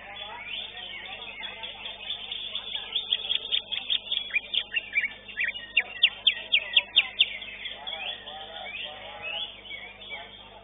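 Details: Greater green leafbird, the third-place winner at a songbird singing contest, gives a run of loud, sharp whistled notes about twice a second, over busy chatter of other songbirds and faint voices.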